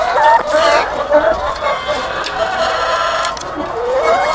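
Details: Farm flock of thousands of laying hens, a short stretch of crowded clucking and a few bent, rising cackles over a busy background hubbub.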